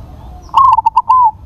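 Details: One clear song phrase from a crossbred perkutut, or zebra dove: a sharp rising start, a string of quick clipped coos and a smooth, slightly falling final note.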